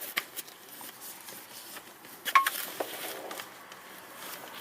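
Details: Clattering dishes, pots and cutlery in a small indoor room, with scattered knocks and taps.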